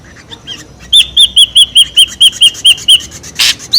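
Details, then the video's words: Ashy drongo call used as a lure sound: a loud series of about ten clear, slightly arched whistled notes repeated rapidly at an even pace, followed by a brief harsh burst. "SUARA PIKAT SRIGUNTING RIBUT | SUARA PIKAT SRIGUNTING ABU ABU"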